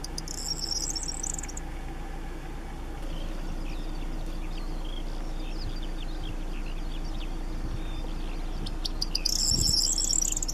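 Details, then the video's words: Two short, high, jangling Corn Bunting song phrases like shaken keys, one at the start and one at the end, are heard over steady low rumbling background noise. "Grauammer mit Gesang – Corn Bunting singing"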